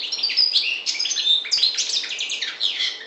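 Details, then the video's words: Song of a European goldfinch, parva race from the Maghreb: dense, fast tinkling twitter of high bright notes with buzzy rattles woven in, delivered without a break and loud against quiet surroundings. "Chardonneret parva maghreb"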